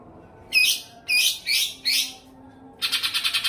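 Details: Greater green leafbird training recording used to make birds respond, with four loud, high, buzzy slurred phrases about half a second apart, followed by a rapid rattling trill of repeated notes.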